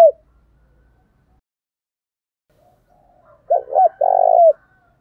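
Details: Spotted dove kept as a decoy bird, calling to provoke wild doves; after a brief low note at the start and three seconds of silence, a short burst of two quick hooked coos then a longer rolling coo.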